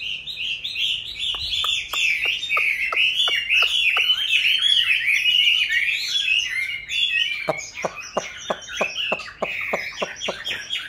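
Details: Chinese hwamei in captivity, wild-caught and now in its fifth year of keeping, sings a dense, loud warbled stream of varied whistled phrases, while sharp regular clicks tap along at roughly three per second in the first and last parts.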